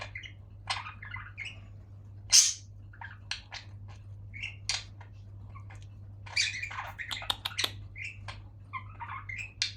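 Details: Several budgerigars and a cockatiel, kept in cages, chatter together in quick chirps, squeaks and warbled notes over a steady low hum.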